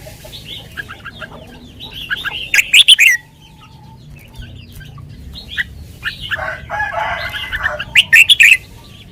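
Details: Caged red-whiskered bulbul sings sweetly in the lak wai style, giving two loud rapid bursts of bright chirped notes several seconds apart, among steady soft chatter from other birds.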